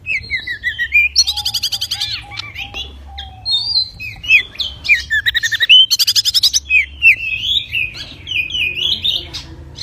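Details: Pied bushchat, known locally as a mini magpie-robin, in full song with wings spread: varied sweet whistles, sharp rising and falling notes, and fast buzzy trilled bursts, delivered almost without pause over a quiet low hum.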